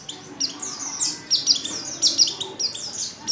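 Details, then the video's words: Female white-eye in heat calling for a male: dense, overlapping high chirps sliding downward, delivered quickly and unevenly against a soft noisy background. "Pleci | betina | Birahi Memanggil jantan"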